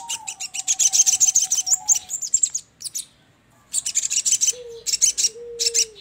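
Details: For trapping, a sogon or crimson sunbird lure: fast high chirps over a level whistled tone, a brief pause, then renewed chirping bursts with short falling whistles below.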